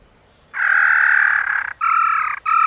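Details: Wild black-throated laughingthrush singing in the forest, used to train captive birds: a long, loud, nasal note held over a second, then two shorter clipped notes at the same pitch.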